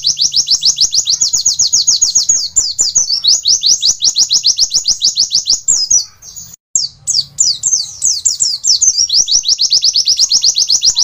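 An Oriental white-eye pours out a fast, high, sweet twitter of rapid chips, about ten a second, barely pausing once near the middle.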